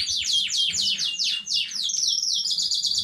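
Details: Canary of a new home-bred line singing on 15 May 2019: rapid rolls of downward-sweeping whistles, about four per second, shifting into a higher steady trill, with a faint low hum behind.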